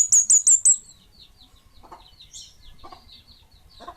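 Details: Kemade Bunga Api bird opens with four loud, very high, sharp repeated notes. Softer high twitters and scattered lower chirps follow, over a faint low rumble.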